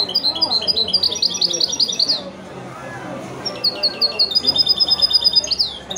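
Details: Goldfinch-canary mule (male goldfinch × female canary) singing wedani style: two bursts of rapid, bright high chirps, each about two seconds long, separated by a short silence.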